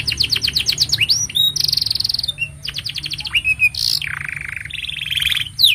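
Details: Long master song of a canary for training young birds and prompting silent canaries: quick descending note series, a bright sustained buzzy roll, upswept whistled notes and a lower harsh rolling trill, delivered without pause.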